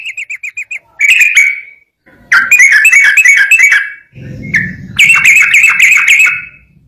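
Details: Yellow-vented bulbul giving long 'gacor ropel' song: a few clipped whistled notes, then several rapid chattering runs of bright notes separated by pauses. A faint low rumble sits under the middle section.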